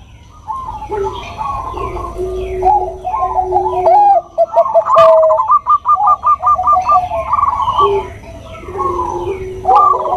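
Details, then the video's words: Bangkok-type zebra dove, a cage bird, singing to coax other doves into answering. Overlapping voices give rapid trains of clipped coos and drawn-out notes, with softer dove calls between. "Suara Perkutut Bangkok Suara Merdu"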